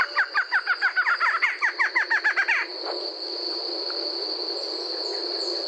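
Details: Barred Antshrike, Brazil, singing a rapid run of about eighteen nasal, hooting notes lasting under three seconds, each note bending down sharply. A steady high insect whine and a noisy background continue after the song stops.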